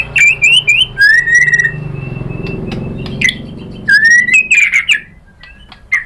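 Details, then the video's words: White-rumped shama, song to provoke a rival: clear whistled slides and quick chirps, a long steady low hum in the middle, then more rising whistles and chatter. "Pancingan MURAI BATU bikin EMOSI NYAUT GACOR BONGKAR MATERI ISIAN ¦ PANCINGAN MURAI ¦ SHAMA BIRD"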